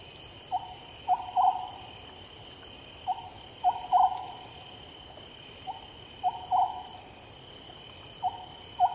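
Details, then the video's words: At night, an Oriental scops owl repeats a short phrase of hollow hoots, one note and then a rapid pair, about every two and a half seconds, with constant insect trilling behind. "Oriental Scops Owl"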